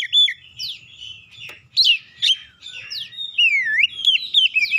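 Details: Magpie-robin singing as a lure to prompt other birds; varied loud whistles, harsh downward slurs and scratchy notes, closing with a wavering falling-rising whistle and quick chirps.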